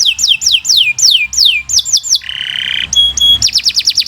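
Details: Canary master song: spaced, high downward-slurred whistles, a low harsh buzzy roll, two clear steady tones, then a quick burst of falling notes.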